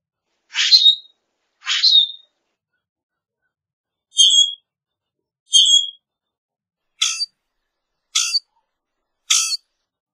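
Common grackle giving seven short, harsh, squeaky rasping notes with a creaky whistle, spaced about a second or more apart, against a quiet background.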